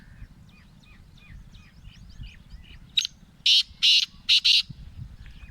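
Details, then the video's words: A black francolin (kala teetar) of the Gangas Laka cross delivers a sharp note followed by four loud, harsh, buzzy bursts in two pairs. Faint chirps of small birds precede it. "Black Franclion Voice Kala Teetar ki awaz"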